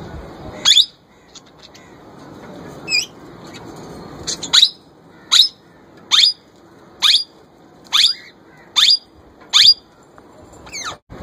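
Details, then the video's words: Young male plum-headed parakeet, a kept bird, attempting to talk and imitate a ringneck parrot: sharp, high, downward-sweeping chirps repeated roughly every second, about nine in a row, over a quiet background murmur. "My Young Plum Head Male trying to Talk & Copy Ringneck Parrot voice"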